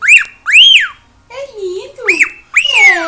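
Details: Pet cockatiel at home in Brazil making loud arched whistles that rise and fall, mixed with lower chattering sounds, after people laughing.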